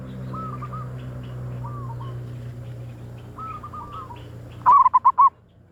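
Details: Zebra dove call used to lure wild doves: soft, slurred rising coos drift in the background, then a loud burst of four or five rapid, rolling coo notes near the end over low steady hum.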